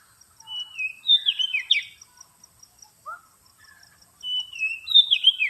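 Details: Oriental magpie-robin lure sound for attracting birds: bright whistled phrases with fast slurred notes and a downward sweep, a short low whistle between them, over a faint steady high ticking.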